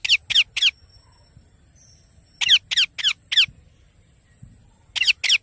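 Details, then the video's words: Young parrot giving rasping, scratchy squawks in short rapid bursts of three, five and two notes, separated by pauses of about two seconds, with a soft background hiss. "Baby Parrot Natural Sounds"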